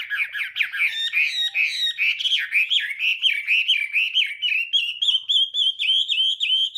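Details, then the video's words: Morning training song of a Chinese hwamei, sung to provoke singing: a long run of rapid whistled notes, slowly rising in pitch and growing steadier and more rhythmic. "hoạ mi hót sáng luyện giọng kich bổi sổ giọng chim hót hay mỗi ngày"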